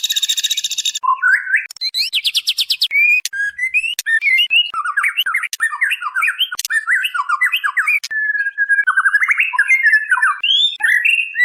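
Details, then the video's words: White-rumped shama female calling the male, used as a lure: opens with a harsh buzzy burst, then a long series of rapid trills and varied whistled phrases. "SUARA MURAI BATU BETINA MEMANGGIL JANTAN"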